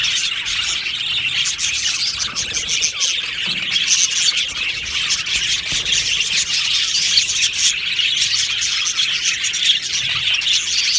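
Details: Aviary colony of Australian budgies chattering: continuous high warbling chorus with occasional harsher squawks and squeals among the rapid chirps.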